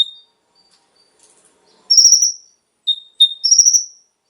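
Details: Konin song used as a lure to set captive birds singing: a short clear whistle near four kilohertz, then a high rapid buzzy trill, an answering pair of short notes and another trill after a pause.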